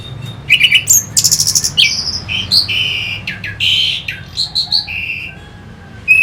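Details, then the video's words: Song of an orange-headed thrush, played to stir fighting birds: a rich, varied run of loud whistled and buzzy phrases, rapid stuttering notes and slurred trills, with brief pauses, ending in one sharp note. "Pancingan SUara ANIS MERAH Pembangkit Figther Burung"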